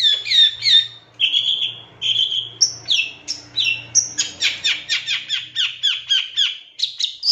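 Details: Long-tailed shrike song used as a lure track to provoke a shrike into singing: harsh, buzzy, varied phrases, drawn-out notes, then rapid repeated scratchy bursts about three per second.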